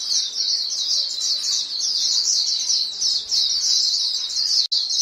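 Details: Several white-eyes calling to one another in a near-continuous wash of high, sibilant twitters, with a sharp click close to the end.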